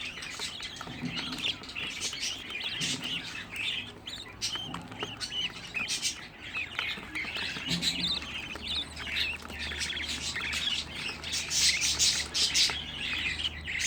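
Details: Sixteen home-bred budgerigar chicks chatter together in a long, unbroken stream of high, grating chirps and squeaks, growing denser and louder toward the end, with a faint low hum underneath.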